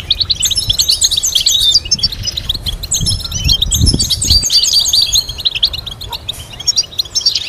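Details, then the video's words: European goldfinch song used as a tutor for complex melodies: lively, rapid twitter built from repeated chirp series and short buzzy trills, pausing briefly, with some low rumbling noise midway. "Teaching goldfinch to sing complex stimulating melodies"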